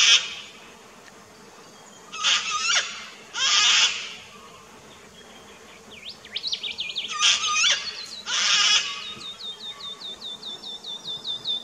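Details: Sulphur-crested cockatoo in an Australian backyard garden, filmed 21 September 2019 on a Nikon Coolpix P900, giving boisterous calls: four harsh, raspy screeches in two pairs, with thin whistles and a rapid repeated ticking series from another bird afterwards.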